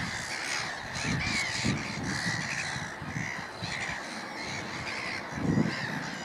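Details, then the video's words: A noisy flock of Black-headed Gulls at Middleton / Fishers Mill, possibly with a Mediterranean Gull among them, gives harsh, rasping, crow-like screams that overlap continuously over some low rumbling noise. "Noisy Black-headed Gulls"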